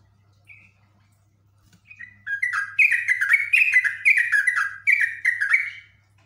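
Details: A Yellow-vented bulbul (jogjog) sings long ngekek runs, highly excited. A couple of soft early notes lead into a loud, dense chatter of tumbling, falling phrases lasting about three and a half seconds, then quiet. A weak hum is constant.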